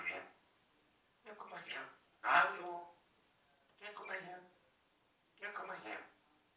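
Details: A talking parrot named Rudi speaks five short, voice-like phrases about a second apart, each with a clear, slightly nasal vocal tone, in an otherwise quiet room. Finding: Parrot.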